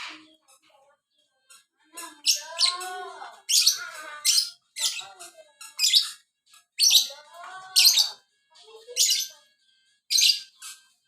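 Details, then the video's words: Caged lovebird of the violin type singing in full, lively voice: sharp, high chirps and harsh bursts in quick uneven runs, mixed with lower, curving warbled notes. "burung Lovebird biola. gacor"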